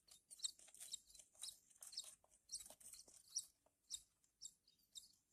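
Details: Horsfield's bush lark chicks taking food by hand make rapid, crowded high chirps with rustling and feeding noises throughout, easing into spaced single chirps near the end.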